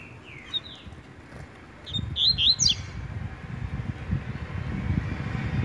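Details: Brown double-collared seedeater competing with its tui tui song: faint sliding notes first, then a short burst of high, twisting whistles, set against steady low rumbling noise.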